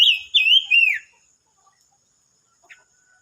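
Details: Silver-eared mesia song from 25 May 2022: one loud phrase of three clear whistled notes in the first second, each slurring up then down, the last dropping lower, followed by near silence with a faint chip.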